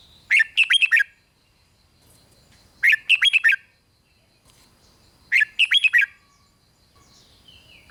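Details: Red-whiskered bulbul song used to excite other bulbuls, repeated about every two and a half seconds: three loud phrases of five or six warbling, slurred whistles, with a faint sliding whistle near the end.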